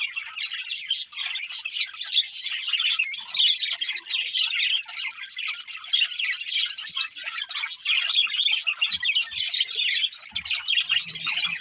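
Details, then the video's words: Continuous warbling chatter from a pet budgerigar breeding pair, high scratchy trills and chirps running nonstop with a few faint low knocks in the background. "Cute Budgies Chirping Sounds | Love Birds Breeding Pair"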